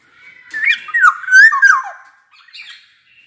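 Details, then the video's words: Black-naped oriole, a lively singing bird used to coax quiet orioles into song: loud, clear fluting whistles sliding up and down, a burst of rich warbled phrases followed by a softer, higher trailing note. "Suara kepodang gacor ini bisa di jadikan pancingan kepodang malas bunyi"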